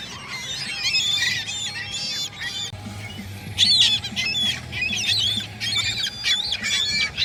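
Many gulls calling at once: harsh, overlapping squawks and mewing cries in quick succession, with a faint low hum underneath.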